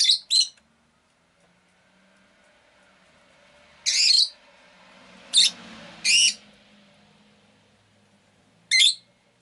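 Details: Pet rosy-faced lovebird chirping in spaced bursts: a quick double chirp, a pause, then a rasping chirp, two more close together, and a final one after a gap, with a low murmur of background noise.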